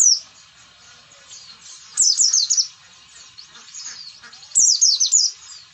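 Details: Oriental white-eye song, wild style, used to stir lazy or rarely singing white-eyes: two bright bursts of quick, high, slurred descending notes, separated by faint twittering.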